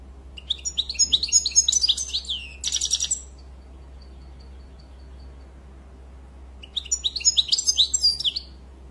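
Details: Goldfinch song with a long twittering, chattering phrase rich in bright trills and buzzy notes, a pause with faint thin notes, then another lively twittering phrase; low hum underneath.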